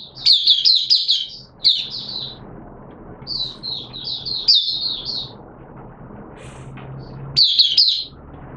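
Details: Kept oriental white-eye singing in wet weather: clusters of high, thin, rippling notes, a longer descending series midway, then a final sharp twittering burst.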